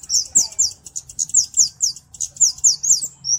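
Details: Flowerpecker singing clearly, a recording meant for master training and bird luring: a steady series of high, sharp downslurred chips, roughly four per second, ending in a short thin whistle.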